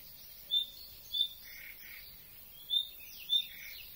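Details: Common nightingale giving an unusual call: four short, sharp, high notes in two loose pairs with softer scratchy twittering between, against a quiet background; species briefly glimpsed and tentatively identified after two days' debate.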